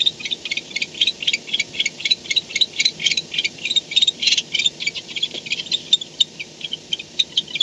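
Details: Rapid rattling chatter from barn owls at a nest camera before dawn, 4:38 am on 2-10-16, as one returns home: dense trains of crisp, high clicks, about four a second, swelling and easing in loose bursts throughout.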